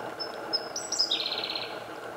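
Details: Eurasian wren singing actively in the morning sun in Japan on 8 May 2014: short high thin notes sliding down into a brief trill, over a steady low background hum.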